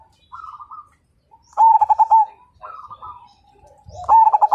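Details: A Majapahit zebra dove, a lively fighter whose song reportedly draws other birds into singing. Two loud rippling bursts of rapid hollow coos alternate with softer, higher cooing phrases from another dove.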